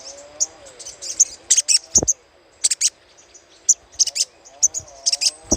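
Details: Chattering of a little spiderhunter, used as a lure: dense bursts of shrill high chips in quick groups, over a faint low wavering hum and a couple of low thuds.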